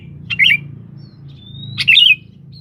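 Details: Sooty-headed bulbul calling a rival, used as a lure: two quick chortling phrases of rolling whistled notes, linked by a faint thin steady whistle from another bird.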